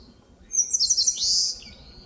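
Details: Eastern crowned warbler singing in forest near Palbongsan, Seosan: a brisk series of piercing, high chip notes followed by a drawn-out buzzy note sliding downward, clear against near silence.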